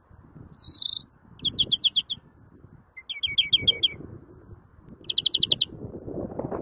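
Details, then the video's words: Greenfinch song opens with a bright, buzzy, drawn-out note. Three bursts of quick high twittering trills follow, with steady low rumbling noise underneath. "El Mejor Verderon del Mundo 2020"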